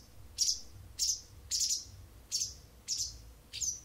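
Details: Six high, thin chirps with a downward flick, about half a second apart, from a wild bird that sings to an indoor cat every morning and evening, with a soft low hum behind.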